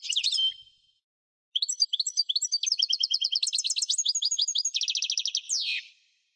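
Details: European goldfinch song: a short twitter, a pause, then varied tinkling and chirping notes that build into a rapid rattling trill and finish with a buzzy falling note.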